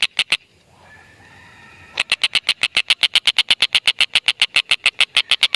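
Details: Stork-billed kingfisher, used as a lure to set lovebirds calling: three sharp harsh 'kek' notes, a short pause, then a steady, fast, unbroken run of the same grating notes, about six per second.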